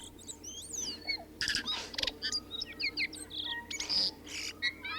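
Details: Tui singing: a rich, varied jumble of pure rising and falling whistles, sharp clicks, short buzzy bursts and high squeaky notes packed closely together, with a low faint hum underneath.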